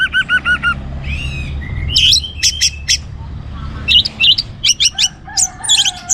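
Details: Orange-headed thrush in energetic song used to get other birds singing; repeated looping notes, a buzzy rising phrase, then a rich varied warble of sharp high notes and chips.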